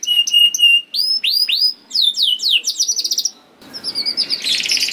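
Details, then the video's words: Canary song for coaxing other canaries to sing: steady whistled notes and down-slurs, rolling rapid phrases, a short pause, then a buzzy trill. "MASTERAN KENARI !! AMPUH DENGAR KENARI DIJAMIN KENARI ANDA BUNYI SEKETIKA #146 || VOICE OF CANARY"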